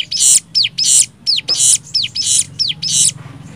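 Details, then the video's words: Nembak-style cigun song used as a training master: loud buzzy bursts alternating with sharp downward-curving whistles, about one and a half phrases per second, a little low background hum. "MASTERAN CIGUN NEMBAK 6 VARIASI"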